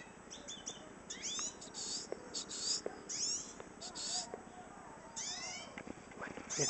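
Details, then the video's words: Calling female hooded siskin gives a rapid run of high, thin chirps and sliding twitters in irregular bursts, with a man talking quietly underneath. "cabecita negra llamando"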